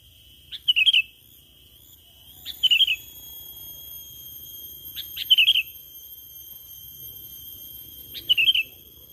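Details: Lure call of the sooty-headed bulbul: brisk chirpy twittering bursts, each starting with a sharp click-like note, repeated four times at uneven intervals of two to three seconds, against a constant high whine and faint background hum.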